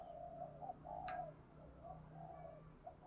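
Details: Spotted dove in the Thổ Gù calling style for luring wild birds. Continuous low hoarse cooing flows in gently arching notes, interrupted by one sharp click midway, over a low background hum.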